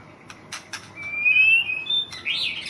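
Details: National champion white-rumped shama from Thailand gives a few sharp clicks, then a long clear whistle climbing gradually in pitch, followed by a short buzzy rising note.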